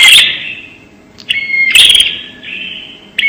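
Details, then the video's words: ['Bar-winged prinia call used as a lure: buzzy rasping bursts alternating with short clear whistled notes, loud and echoing, a fresh phrase starting roughly every second and a half.'] "suara pemikat burung prenjak super jernih"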